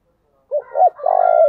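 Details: Spotted dove used as a decoy, calling in thúc, gù and gáy gọi styles; two quick low coos rise and fall, then a long vibrating coo, with a faint higher whistled tone running above it.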